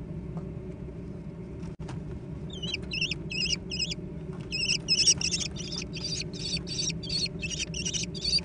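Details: Young American kestrels squabble over food, the eldest chick seemingly winning and blocking the camera; after near-silence, harsh rising calls begin near the three-second mark and build into rapid, overlapping repeats, almost three per second, over a low background rumble.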